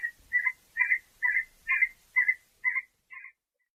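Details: See-see partridge male, a bird of rocky arid hills, gives its territorial song: a series of eight clipped, slightly rising whistled notes, about two per second, fading toward the end.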